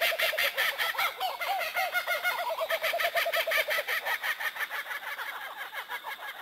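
A kookaburra's raucous laugh: rapid, overlapping cackling hoots, about three per second, rising into a frantic chorus before trailing off.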